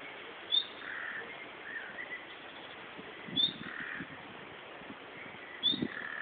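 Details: Calls of a common nightingale in Berlin shrubbery, not song: three thin, sharp rising whistles spaced roughly two and a half seconds apart over a soft hiss and faint low knocks.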